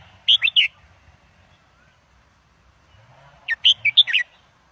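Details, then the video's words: Indo-double style song of a red-whiskered bulbul, used for teaching young birds and stirring birds up: a three-note warbled phrase, a quiet gap of nearly three seconds, then a longer burst of five or six lively, bouncing notes. "นกกรงหัวจุกอินโดเบิ้ลอาชีพ เปิดสอนลูกนก ยั้วนกฟังนกคึก"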